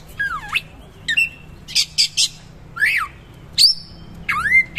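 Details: Oriental magpie-robin in full gacor song, the rough 'materi kasar roll tembak' style: loud whistled notes sweeping down then up, harsh grating bursts, and a long rising whistle, separated by brief silences over a faint steady hum.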